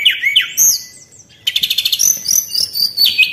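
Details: White-browed shortwing song for luring: two downslurred whistles, then a rapid regular series of bright chattering notes, ending with high sweeping whistles.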